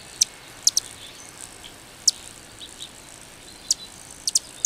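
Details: Calliope hummingbird song heard as scattered very high, thin, sharp ticks, some in close pairs, separated by gaps of up to a second and a half, with faint soft chips between and a quiet background.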